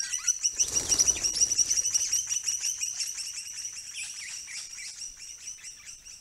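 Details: Critically endangered swift parrots, a visiting flock with at least two immature birds, April 2022; rapid high, metallic chirps repeated about three times a second, densest and loudest in the first two seconds, with some overlapping calls.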